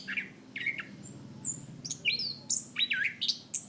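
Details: Training song of a chestnut-capped thrush (punglor kembang), kept as a songbird, sung in the loud, open 'ngeplong' style: scattered bright whistles, very high thin notes and quick descending slurs separated by short pauses.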